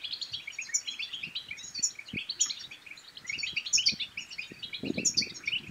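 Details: European goldfinch singing to prompt other goldfinches into song and mating: fast, liquid twittering and tinkling phrases with sharp high accents recurring roughly every second, over faint low knocks.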